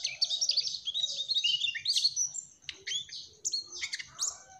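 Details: Mugimaki flycatcher, called 'trotol', singing in the energetic gacor style: dense, high twittering phrases with quick buzzy trills and sharp chirps, broken by short pauses, over a faint steady high-pitched tone.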